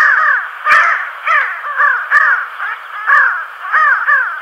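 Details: Pin-tailed sandgrouse flock flying fast over farmland near Tablas de Daimiel, La Mancha, Spain, on local flights to water: harsh, nasal, slightly rolling calls about twice a second, several birds overlapping in a loud chorus.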